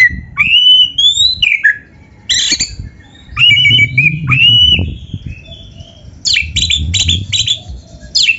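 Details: Oriental magpie-robin (kacer) song offered as a masteran tutor recording for young, lazy or quiet kept birds; loud clear whistled phrases, rising and falling, mixed with harsh scratchy squawk bursts, over a low rumbling background.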